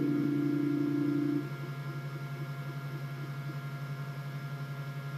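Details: Low mains-like hum and hiss with a pure steady tone for the first second and a half, then the hum continues alone, with no animal voices.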